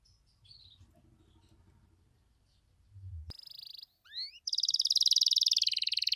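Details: Canary in full song in the ornate 'cengkok mewah' style, played to draw other canaries into answering; after about three seconds of faint low rumble, a high trill bursts in, followed by quick rising whistles and a rapid buzzy rattle.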